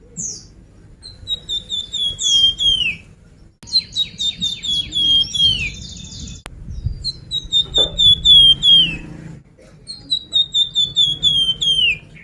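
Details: Sunda pied fantail (flamboyan) song played as a lure to get birds singing: four phrases of rapid clear whistles descending in pitch, each ending in a downward slur, with thin high notes layered above.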